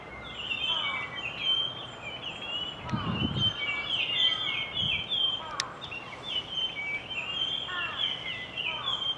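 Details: A flock of resident Japanese grosbeaks sings in a thicket, with the singer not identifiable: clear, slurred whistles rising and falling in quick overlapping phrases, with a few low thumps in the background.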